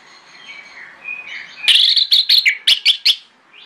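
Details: Orange-headed thrush phrase given in the morning to provoke answers from other thrushes; soft faint notes first, then a loud rapid string of sharp whistled notes.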